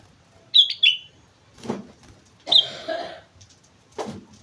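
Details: Sooty-headed bulbul from Mount Slamet giving a short pair of bright whistled notes, followed by scattered knocks and rustling and a longer, blurred chirpy phrase.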